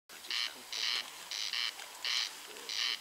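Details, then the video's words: Two corncrakes singing quite close together at night near Spała in mid-May: harsh, dry rasping bursts, each doubled, five bursts in three seconds over a quiet background. "Corncrake singing / Głos Derkaczy"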